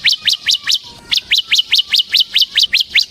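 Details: Bar-winged prinia of the ciblek semi type singing vigorously, used to lure and tutor other birds: a steady run of about fourteen sharp, high chirps that flick up then drop, roughly four per second, with one brief hitch.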